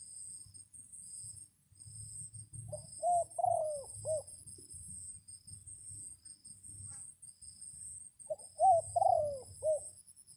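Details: Decoy red junglefowl rooster crowing to call in wild junglefowl during a rainy spell: two four-part crows, a short note, a rising note, a long falling drawl, then a clipped end, about six seconds apart over a steady high insect-like drone and low rumble.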